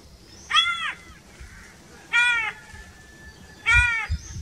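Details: Crow giving three separate nasal, ringing caws about a second and a half apart, each slightly arched in pitch and clearly toned, over a quiet background.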